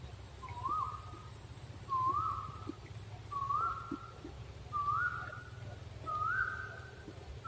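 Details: Owl calling: a series of five short whistled notes, each dipping then rising, repeated about every one and a half seconds at an even pace, with a low rumbling background.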